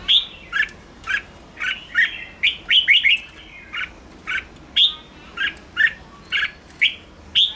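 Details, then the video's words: ['Red-whiskered bulbul song played to provoke wild birds, a lively run of short whistled, slurred notes repeated roughly every half second in an even rhythm, clear and loud.'] "Chào mào ché kích bổi căng lửa"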